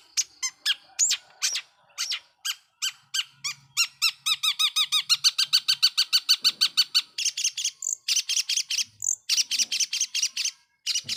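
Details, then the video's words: Lure song from a long-tailed shrike, aimed at provoking other shrikes. Varied chips lead into a long, fast series of identical repeated notes, then dense buzzy chatter with short pauses. "Pancingan Cendet Gacor"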